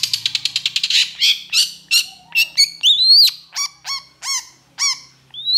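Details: Long-tailed shrike, known locally as cendet or pentet, singing vigorously in an agitated mood: a rapid burst of short ticking notes, then a series of loud, harsh, downward-bending calls spaced about half a second apart, and a final rising note.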